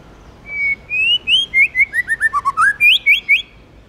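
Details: White-rumped shama, a tame bird, sings its forest-voice style song: a sustained whistle, then a run of about a dozen short, sweet notes stepping downward, ending in brighter rising notes.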